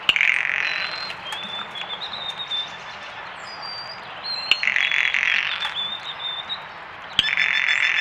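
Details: Audio-only backyard recording: faint, thin, pure held whistles of a White-throated Sparrow, while a female Blue Jay's dry rattling bursts in three times.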